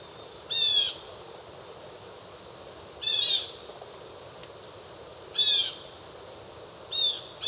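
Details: A blue jay recorded in the Triad Area of North Carolina, near Winston-Salem, gives five grating, buzzy screeches, spaced about two to three seconds apart, loud against a quiet hissing background with a single faint click.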